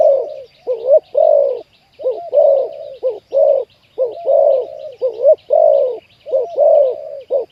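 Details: Spotted dove cooing in Thailand during decoy trapping of wild doves, a wild bird with a deep 'khu ang' style voice being caught; low, hollow, rounded coos in tight overlapping phrases, roughly one per second, with faint high chirps from small birds behind.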